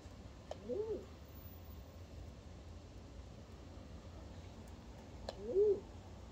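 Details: One of two crested pigeons mating on a balcony gives two short, low, soft coos about five seconds apart over a steady low rumble; crested pigeon.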